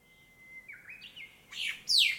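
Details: Birds in a black locust tree next to a town house sing from sunrise, heard from a room window. A thin whistle climbs in short steps, then two loud, harsh, buzzy bursts close the phrase.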